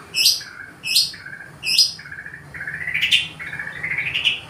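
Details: White-rumped shama from the forest serenading a female in Indonesia. Three sharp, rising high whistles, each followed by a lower note, lead into longer warbled phrases that climb in steps.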